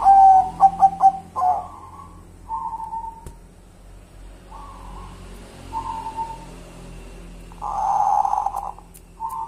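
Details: Zebra dove of a local type gives a few quick, clear, ringing coos and a longer note, followed by repeated softer, muffled calls and one louder, breathy burst near the end.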